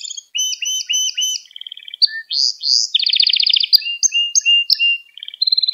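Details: Gloster canary in song used to excite other canaries: varied tours of quick repeated notes, short buzzy trills, a dense rolling trill near the middle, then spaced high chirps and a final rapid burst.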